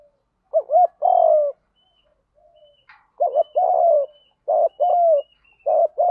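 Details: Spotted dove giving continuous 'đồng gù đấu' fighting coos meant to lure wild doves: low, hollow phrases of a short wavering double note then a longer falling coo, repeated three times with pauses, in a quiet background.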